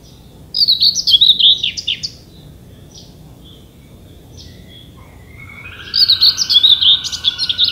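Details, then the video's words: Common whitethroat, a very common summer warbler of Danish thickets, delivering two brief scratchy warbling phrases about five seconds apart, each a fast jumble of chattering notes, with quieter distant bird notes in between. "Tornsanger - Sådan synger Danmarks fugle"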